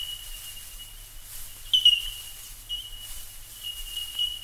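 Bell Miners give clear, high, bell-like 'tink' notes that run together into a steady ringing chorus, a few brighter notes standing out, over a faint low rumble.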